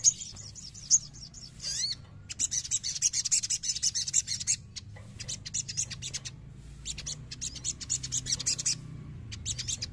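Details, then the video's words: Sogon, a young bird in training, being provoked to sing. It gives long runs of dense, high, rasping chatter broken by short gaps, with sharp clicks between phrases. A steady low hum sits beneath. "CEPAT PANCING EMOSI SOGON BAHAN"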